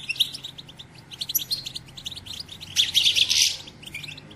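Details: European goldfinch batbata, the twittering of a female used to stimulate males to sing and mate: quick high chirps pour out steadily, then a loud buzzy burst near the close before the chatter eases.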